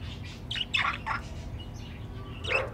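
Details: Pet budgerigars at their nest box, a hoped-for future breeding pair kept in captivity: soft scratchy chattering chirps in short bursts over a low steady hum.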